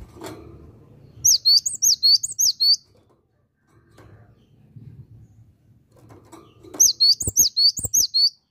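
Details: Cinereous tit (gelatik batu) singing vigorously in two bursts of rapid, high, sharp slurred whistles, each about six to eight notes, separated by quiet with low rumbling and a few knocks.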